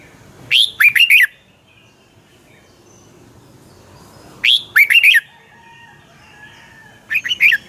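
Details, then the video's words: Red-whiskered bulbul, Thai Pala-u type, singing 'double' style song phrases three times in under eight seconds. Each phrase is a rising whistle and three fast, cheery warbled notes, with short pauses between. "เสียงนกกรงหัวจุก นกป่าละอู เพลงเบิ้ล2 เพลงเบิ้ล3"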